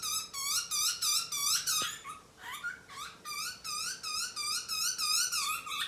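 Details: Butcherbird chick begging while being fed. Loud, harmonic, wavering squeals come in quick succession, about three per second, with a brief break and a lower note midway. A faint hum is heard in the background.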